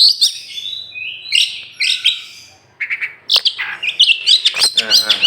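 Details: Oriental magpie-robin, a tame contest champion from Meulaboh, Aceh, let out of its cage, pours out loud high whistles and twittering, scratchy runs, pausing once before a dense closing burst.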